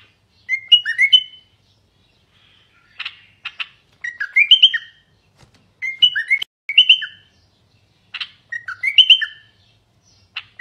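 A common bulbul sings short, bubbly phrases of liquid whistled notes, repeated roughly every two seconds, with a few faint clicks between them.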